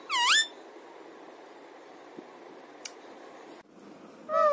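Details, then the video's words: Pet talking parrot indoors in a small room: a loud, harmonic, swooping squawk opens, then near silence with a faint click, and a second rising-falling squawk closes. "Talking Parrot"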